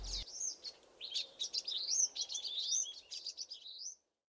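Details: A flock of common waxbills in dense chatter of contact calls and song, overlapping high chirps and wavy buzzy notes, ending with a rising drawn-out phrase before the sound cuts off.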